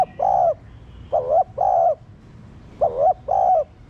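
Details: Captive spotted dove cooing to encourage other doves to sing: two doubled coos, each a brief wavering note followed by a sustained soft tone, with a pause between pairs.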